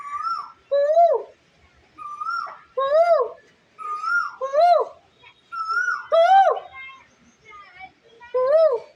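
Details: Asian koel trying to communicate: clear whistled notes, slightly rising, repeated every second or two, alternating with a louder, lower, arched hooting voice rich in overtones, in a quiet setting.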